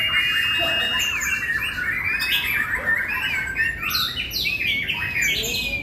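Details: White-rumped shama, caged, recently moulted, singing at a songbird competition field: a rich, fast stream of varied whistles, trills and sharp chirps, with scattered background noise from the venue.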